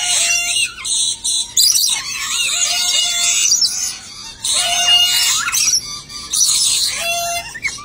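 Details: Dusky lory pair giving bursts of harsh grating screeches, each lasting one to two seconds, broken by brief gaps, with thin nasal upslurred notes and short whistled tones mixed in.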